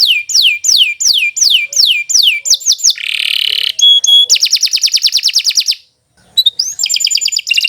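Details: Canary singing to lure other birds into song: a series of falling whistled sweeps, a harsh buzz, a pure whistled note, a fast even trill, a brief silence, then bright chirps.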